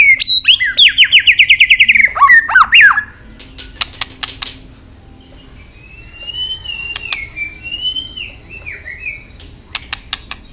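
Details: White-rumped shama fighting song: a rapid rattling series of slurred notes, sharp tak clicks, then soft wavering high whistles with occasional clicks.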